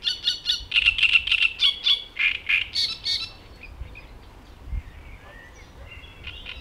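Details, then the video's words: A male Great Reed Warbler sings in reed beds: harsh, scratchy, gruff chattering notes repeated rapidly in a rhythmic, somewhat mechanical series for about three seconds, then fading into quieter distant chirps. "Bird Alarm Clock: Great Reed Warbler"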